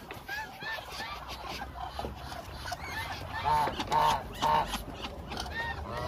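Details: About 1000 hungry Muscovy ducks calling together, a dense, overlapping chorus of short nasal honks that swells to three loud calls near the end.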